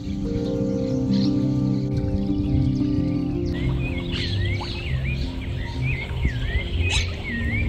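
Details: A rufous-bellied thrush (Turdus rufiventris), locally called chiflón, sings by a river during a fishing outing: short wavering whistled phrases, rising and falling, over a steady low hum and music-like tones.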